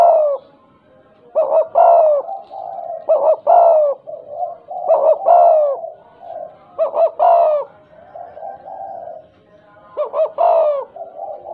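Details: Spotted dove, a tame bird with a stuttering, eager calling style, repeats loud, choppy, mellow coos in clusters every second or two throughout, producing a broken, stammering rhythm.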